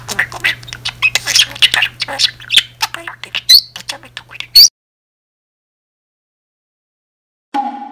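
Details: Chattering pet budgerigar delivering a solo monologue like an auntie: quick raspy syllables and squeaks for about four and a half seconds, ending in a sharp high note, then near silence before a brief tonal sound.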